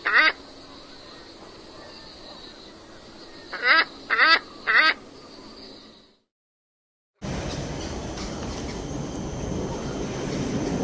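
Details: Scarlet ibis giving a few brief nasal honks, a single note followed by a group of three, then a steady rushing noise.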